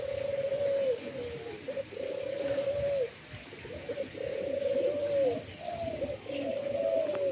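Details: Breeding endemic dove from Indonesia giving low steady coos that bend downward at the end, repeated in a loose series of about four phrases.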